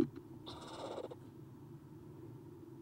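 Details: Nest-box Eastern screech owl owlet, one of three watching outside after an adult leaves, 30 April 2016 at 9:54 am: a lone hissing rasp lasting over half a second, preceded by a knock, with steady background hum.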